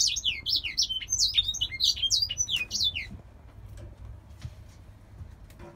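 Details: Caged grey singer finch bred in Poland delivering a rapid run of high, twisting whistled notes for about three seconds before falling silent, leaving faint background rumble and a few soft clicks.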